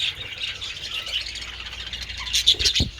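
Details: Several budgerigars in the sun with treats on 27 February give continuous high, grating warbles, then a louder squawking burst and a low knock toward the end.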